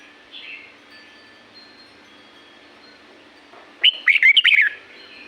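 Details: In La-u forest, a red-whiskered bulbul breaks a quiet spell with a single rich, rollicking phrase of rapid up-and-down whistled notes, after faint far-off chirps.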